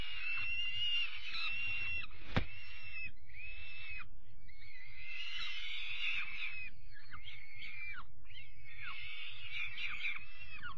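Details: Young peregrine falcon chicks being fed their evening meal on 5 May, giving harsh, wheezy screams in bursts of one to two seconds, nearly without pause, over a low rumbling background.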